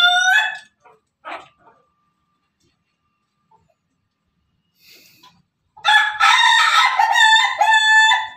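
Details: Pelung chicken crow: short harsh notes open, a long quiet stretch follows, then a powerful, sustained crow with a wavering pitch fills the final few seconds.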